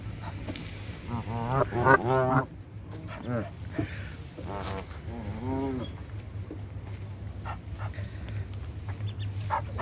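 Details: Canada geese being hand fed: several wavering nasal honks come in two clusters, separated by quieter stretches of low rumble and faint clicks.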